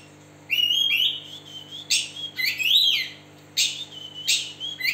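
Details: Oriental magpie-robin of the West Java type, a kacer with a split beak, singing while spreading its tail; loud varied whistles and sweeping trills, some rising and some falling, in phrases about a second long over a steady low hum.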